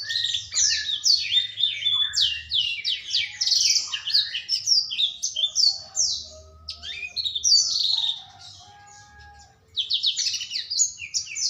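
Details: A young, increasingly loud black-throated canary pours out dense, fast chattering song of high tumbling notes for about eight seconds, pauses briefly, then resumes; a faint low hum runs beneath.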